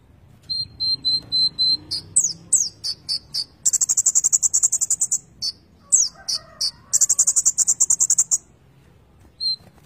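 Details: Konin bird in steady song, full of fill-in phrases. Short high repeated notes and upslurred whistles are broken by two long rapid buzzy trills. A faint low hum sits underneath.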